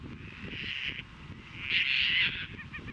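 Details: Caspian terns at Montrose Beach, Chicago, on 22 April 2024 during courtship, fish catching, offering and mating. Two loud, grating, drawn-out cries follow each other, then a few short clipped notes, with faint low wind beneath.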